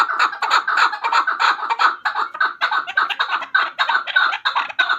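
Chukar partridge giving a fast run of harsh, clucking chuk notes, roughly three per second, loud and steady throughout.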